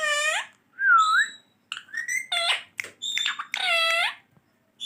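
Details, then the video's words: Pet green ringneck parrot speaking indoors with nasal, speech-like syllables, a looping whistled note and loud harsh squawky calls in quick sequence. "boline wala tota😍 check karen kitne words bol Raha he full Talking of my parrot"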